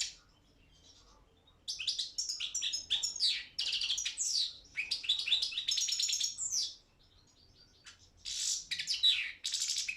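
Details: European goldfinch of the Balkan subspecies, Carduelis carduelis balcanica, competing in an internet world song championship held by a Serbian breeding association: after silence, phrases of rapid tinkling twitters and trills, a pause, then more chattering bursts.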